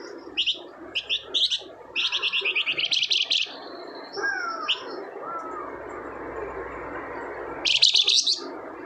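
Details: Flamboyan bird singing vigorously as a lure: clusters of high chirps in quick series, a short whistled note, faint lower slurred whistles in the background, and a final loud trilled burst.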